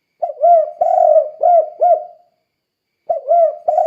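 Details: Spotted dove calling, kept to train other doves to sing, with its 'kuk 2' cooing: four low arched coos in a quick phrase, a pause, then the phrase starting again.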